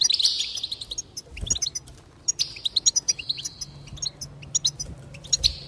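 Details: Goldfinch in full song to motivate others to sing: a buzzy trill at the start, then a fast run of liquid twitters, another drawn-out buzz, and many sharp chirps.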